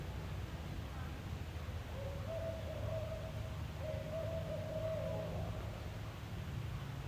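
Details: Barred Owl in the Twin Cities area in mid June gives two drawn-out, mid-pitched hooting notes, the second slightly longer, over a steady low rumble of wind.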